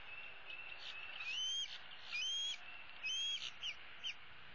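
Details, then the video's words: Bald eaglet from 2016, a female resting in the nest tree, calls for her parents to bring food: three thin, rising whistled squeals followed by a couple of short chips. "E7 dangles her right leg and calls for her parents to bring her some food."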